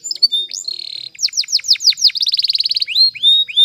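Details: Canary training song: a short buzzing trill, a series of loud descending slurred notes, a rapid tight rattle, then upward-swept whistles to finish.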